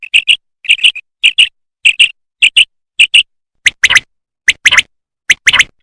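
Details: Common quail, apparently a female calling, gives short, bright paired notes about every half second, the later ones harsher and buzzier.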